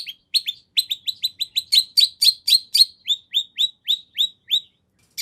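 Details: Cendet, the long-tailed shrike, singing 'nagen'-style fillings meant to lure another shrike into answering: a quick string of short, high, falling notes that speeds up, then slows and stops.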